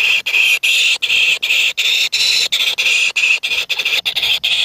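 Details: Several nestlings in a nest compete over food, giving continuous harsh, shrill begging squeals in rapid bursts, each a fraction of a second long and separated by brief gaps, packed close together.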